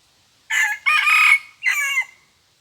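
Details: Red junglefowl decoy bird, said to crow only twice, giving a loud harsh crow in three broken bursts: a short opening note, a long sustained middle phrase, then a falling final section, with silence before and after.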